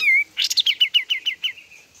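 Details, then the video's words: White-shouldered triller in full song: a short clear whistle followed by a rapid series of about eight sharp, downslurred chip notes, ending in a fading trill. "Kapas tembak gacor"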